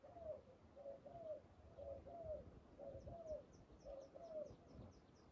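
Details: Spotted dove at a decoy trap giving clear low coos in two-note phrases about once a second, while a series of faint high chirps from another bird runs alongside in the second half.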